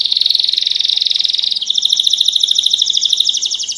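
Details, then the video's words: Belgian canary singing a steady rapid trill that switches partway through to a faster, higher pulsed roll, strong and unbroken throughout. "Canário Belga MESTRE do CANTO CAMPAINHA PURO"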